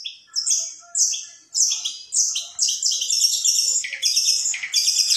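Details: Long-tailed shrike (cendet) from an Indonesian hobbyist's 2020 contest song material, a mimic of birds such as sparrows, canaries, lovebirds and kingfishers. High chirpy notes come in quick clipped bursts, then merge into a dense, continuous twittering run.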